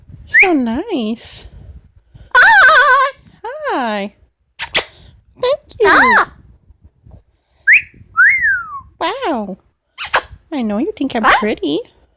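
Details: Indoor pet Amazon parrot running through a varied series: arching harmonic calls repeated in bursts, a sharp click, then rising and falling whistles and more looping calls. There are brief silent gaps between the sounds.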